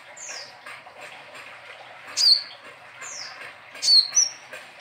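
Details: Brown-breasted 'ninja' sunbird in lively, full song, kept as a tutor bird for training other songbirds: thin, very high downslurred whistles and sharp chirps in two loud bursts about two seconds apart over a soft, steady background.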